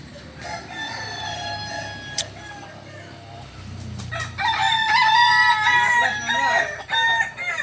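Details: Kukuak Balenggek rooster of original Solok stock giving faint tonal notes first, then a loud, long crow broken into many quick stacked syllables lasting about three seconds, with a single sharp click near the start.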